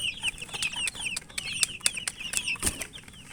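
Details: Chicken chicks chirping while eating: a dense stream of high, thin, downslurred peeps from several birds, overlapping rapidly, with sharp tapping clicks of pecking scattered throughout.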